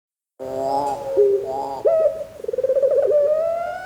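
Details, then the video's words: Barbary dove of the pelung type, a breeding bird, giving a low cooing sequence: a few smooth, hollow coos, then a long, rolling, trilled coo that rises slightly toward the end. "Puter Pelung Gacor"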